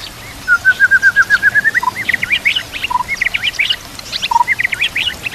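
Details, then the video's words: White-rumped shama song for training other birds, accompanied by nature sounds and trickling water: a rapid rising trill of about a dozen clear notes, then jumbled upswept whistles and a few low single notes. "Putar Suara ini Setiap Pagi dan Sore, Agar murai batu makin Fighter"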